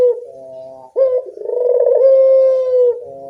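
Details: Evening calling of a Barbary dove, used as a lure: a soft low coo followed by a long, purring, rolling note that swells and then holds steady.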